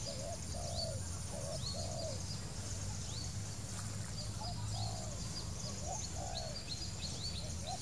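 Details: Wild Spotted Dove giving short, low, wavering coo notes in loose pairs about every half second to a second, over a steady low rumble, with thin high chirps and sharp upslurred notes from other birds throughout.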